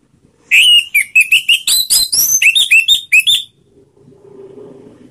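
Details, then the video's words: Orange-headed thrush used as a lure for other birds: a fast, lively string of about a dozen short whistled and scratchy notes over three seconds, then soft low background rumble. "SUARA PANGGILAN ANIS MERAH || PANCINGAN bikin cepat bunyi"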